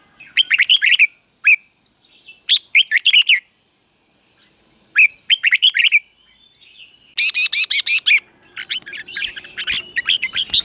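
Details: Red-whiskered bulbul doubled 'berl' song for training young birds: lively whistled phrases repeated with short gaps, ending in a dense run of rapid, sharp chattering notes.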